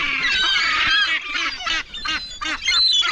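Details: Hungry gulls jostling for food: a loud mass of overlapping harsh cries, then a run of rapid, stuttering yelping notes repeated several times a second.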